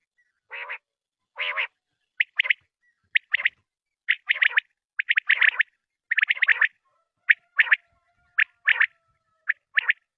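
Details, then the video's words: Common quail calling, an old recording of quail voice: short sharp repeated notes in quick bursts, mostly two to three pulses together, bright and clipped, spaced irregularly across the clip with faint thin tones beneath. "Batair Ki Awaz Quil Sounds بٹیروں کی پرانی آواز"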